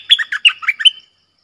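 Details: A short, bright phrase from a red-whiskered bulbul, sung in the 'double' style and used for luring: about six quick warbling notes, swooping up and down, then silence.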